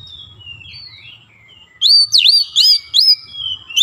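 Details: Oriental magpie-robin song used as a provocation lure: quiet sliding whistles and low hum first, then four loud, ringing V-shaped whistles repeated about every 0.4 seconds.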